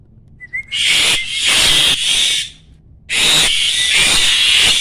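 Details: Mature male Asian pied starling in stable peak breeding condition, singing in the 'gacor mompa-mompa' style that marks readiness to mate: a short thin whistle, then two long harsh, hissing, broadband bursts separated by a brief pause.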